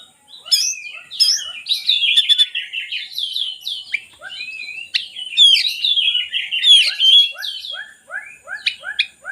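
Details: Kacer, the oriental magpie-robin, in varied song used to coax reluctant birds to sing: bright whistled phrases mixed with chattering trills and rapid buzzy notes in steady bursts.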